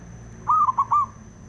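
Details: Zebra dove, male, singing a phrase meant to make other doves sing: a gentle coo chopped into four fast, bubbling notes, closing on a held tone, over steady low noise.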